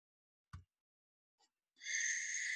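A Barn Owl gives a harsh, hissing screech that starts abruptly and holds for under a second, after a single soft thump.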